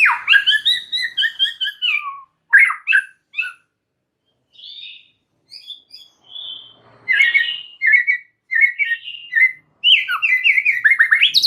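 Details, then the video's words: White-rumped shama (murai batu) in gacor style, extra chattery and full of varied phrases: rich whistled slurs falling and rising, quick chips, and rapid trilled runs in bursts separated by brief pauses. "Audio Gacor MURAI BATU Extra Rewel"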